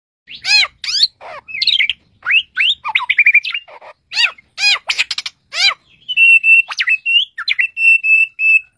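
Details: Single great tit singing with great energy, said to make a thousand sounds: rapid high chirps, sharp down-swept notes and short twittering runs, ending in a series of steady thin whistles.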